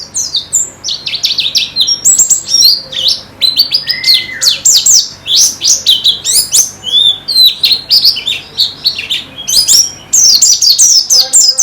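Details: Busy white-eye twittering for training caged birds: sharp high chirps in rapid bursts lasting about a second each, separated by short gaps, with one lower whistled slur midway.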